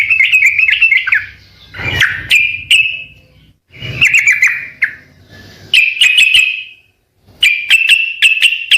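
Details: Yellow-vented bulbul in full lively song, original recording: warbled, liquid phrases of quick notes, each phrase separated by a brief pause, with a soft low knock now and then.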